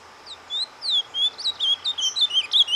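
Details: Soft surdina song from a kept ultramarine grosbeak, used to warm up breeding birds: a brisk series of high slurred whistles, each note sweeping down, delivered steadily over nearly three seconds.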